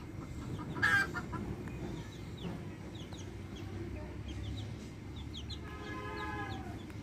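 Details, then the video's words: Backyard hens with chicks: a loud hen squawk near one second, scattered high chick peeps, and a drawn-out layered hen call near the end over steady hum. "Adorable backyard hens with chicks making adorable sounds!"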